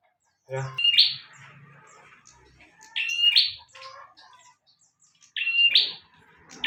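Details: Bar-winged prinia song recorded as a master recording. Three loud, buzzy rising phrases with bright chipping ends arrive about every two and a half seconds, with a soft low knock at the start and faint background chatter.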